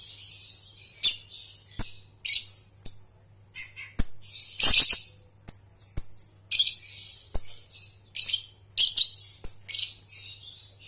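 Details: Rapid shrill ngekek chatter from a lovebird, for training juveniles. Scratchy bursts and sharp clicks repeat roughly every half second to second through the whole stretch, over a faint steady hum.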